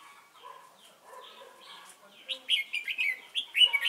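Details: Red-whiskered bulbul decoy used for trapping at Chùa Hương, 28 November 2017; quiet mixed chatter at first, then a loud run of short clear whistled notes in quick succession during the last half.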